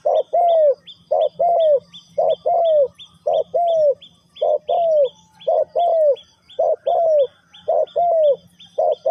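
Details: Spotted dove, Thai three-kuk hanging style, linked to Ninh Thuận, Vietnam, repeating steady pairs of husky low coos about once a second. A second bird keeps up rapid high chirps throughout.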